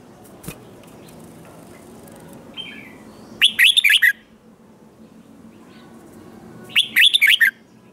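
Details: Red-whiskered bulbul singing in competition style, used to provoke other birds: two short bursts of rapid, warbling whistled notes about three seconds apart, with quiet gaps and a faint earlier chirp.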